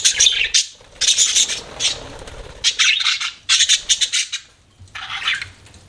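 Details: Budgies chirp in a string of harsh, squawky bursts, each under a second long, broken by short pauses, with a softer chattering phrase near the end.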